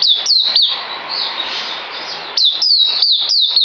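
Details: Songbird recorded on 9 December 2018, singing bright, high whistled notes that each drop sharply in pitch, delivered in quick runs with a pause of about two seconds between phrases.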